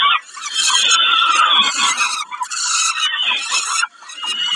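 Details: At Kawęczyn during a snack, dated 20 05 22, a peregrine falcon gives sustained, harsh, nasal squealing, broken by a few short dips and ending with a sharp drop.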